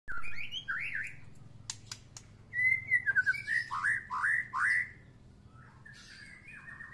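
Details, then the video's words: White-rumped shama after its first moult, sunbathing; clear whistled phrases around the middle range, rising and slurred notes repeated rapidly in two bursts, with a few sharp clicks between phrases. "Murai batu habis mabung pertama kali kena jemur"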